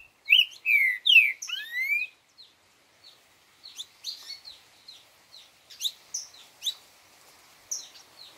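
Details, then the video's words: A green-winged saltator sings a four-note "boi"-type song: a loud, rich whistled phrase of about four slurred notes rising and falling, then a scatter of softer, high chips. "Trinca 4 notas boi"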